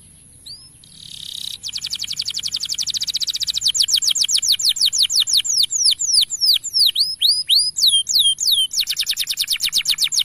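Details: Singing male canary, played as a tutor for young birds: a soft buzzy opening, then long rapid trills of clicking high notes, a run of ringing downward slurs, and another fast trill.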